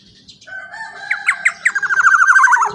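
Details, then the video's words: Loud, lively Black-naped oriole, played as a lure to set other kepodang singing. A whistled tone leads into a fast run of sharp, nasal, repeated notes that grows louder toward the end. "kicauan POWER suara KEPODANG GACOR super KERAS LANTANG cocok untuk pancingan kepodang emas"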